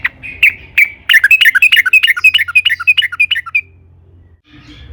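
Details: Sooty-headed bulbul song used as a lure to stimulate other bulbuls to sing: a few sharp chirps, then a fast run of bubbly, warbling whistled notes falling and rising, about three per second, ending abruptly before a faint rustle.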